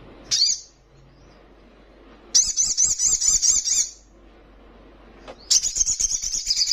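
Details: Very high, rapid trills from a spiderhunter in trotolan style, said to provoke rivals: an opening sharp note, a pause, a trill of looping notes near one and a half seconds, then another fast trill.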